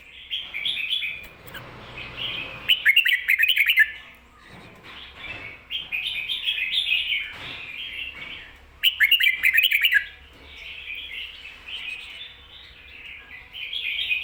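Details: Red-whiskered bulbul singing the ko-ta-ra style with doubled 'bern' phrases, used to teach caged birds: warbled whistled phrases repeated in bursts, with sharper chattering flourishes near three and nine seconds and quiet gaps between.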